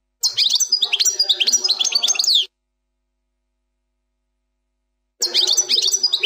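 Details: European goldfinch song in the 'plak mine' style: a two-second stream of fast, high, chattering chirps and downslurred whistles, silence, then another phrase beginning.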